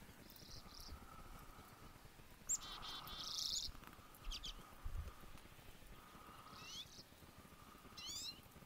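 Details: Chickadee singing in the morning, a pair of clear whistled notes near the start and more whistles later, mixed with rapid chirps and trills from other birds over a steady low background hum.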